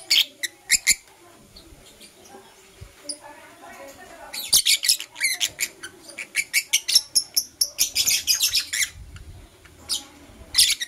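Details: Blue opaline and parblue euwing opaline lovebirds chirping in the morning: dense runs of shrill, scratchy chirps repeated several times a second, pausing and resuming in excited bursts.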